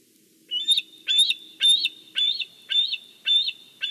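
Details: Bald eagle at its nest in Big Bear, filmed by a wide-view nest camera as fish is brought in; after a quiet start come six high, thin chirped notes, each rising then dropping, about every half second.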